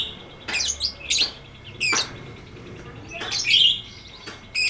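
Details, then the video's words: Lovebird ngetik ngekek song: loud high shrill chatter bursts spaced roughly a second apart, one with a squeaky warble. "MASTERAN LOVEBIRD NGETIK NGEKEK PANJANG FULL DURASI!!"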